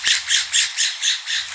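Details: California scrub jay in Southern California coastal sage scrub and chaparral, calling while marking territories: a harsh, raspy series of about six scolding notes, roughly four per second, with a faint low hum underneath.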